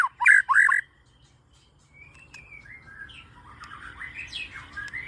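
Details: White-rumped shama lure song: two loud, harsh, chattering phrases at the start, then soft, thin whistles that rise and fall.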